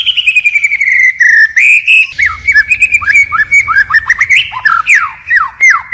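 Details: Forest-style song from a white-rumped shama, voice changing continually: a long wavering whistled phrase, then a string of fast downslurred and hooked whistles with sharp high ticks, delivered almost without pause.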